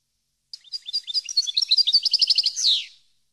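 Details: European goldfinch song used for training captive birds: a rapid twittering run of high chirps and trills lasting about two and a half seconds, speeding up and ending in a buzzy, descending flourish, with no other sounds.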